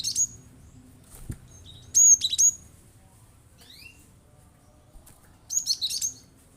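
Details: Cinereous tit in full, persistent song, its 'shooting' phrases said to rouse other birds into singing: scattered bursts of sharp, high chirps and quick double notes, with short rising and falling slurs between them and brief pauses.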